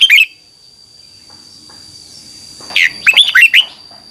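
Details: Red-whiskered bulbul in a morning training song with a double twisting voice, used as a lure for training: a short note at the start, then after a pause a quick tumbling phrase of slurred whistles, over a steady high tone.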